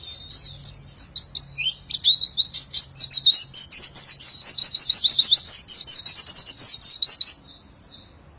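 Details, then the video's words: Pleci, a white-eye, singing a long 'nembak panjang' phrase: scattered high twitters build into a dense, rapid series of connected 'witwitwit' notes lasting about seven seconds, then silence. "burung pleci nembak rapet witwitwit sambung ngecer sadis"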